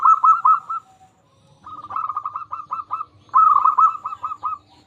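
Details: Local zebra dove song for luring quiet doves to sing: three phrases of quick, soft, trilled coos, each a rolling series of short notes, with short silences between.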